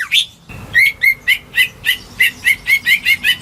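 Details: Home-kept greater green leafbird, whose song is used to coax silent birds to sing, opens with a short phrase, then repeats bright chirped notes in an even string, roughly three per second.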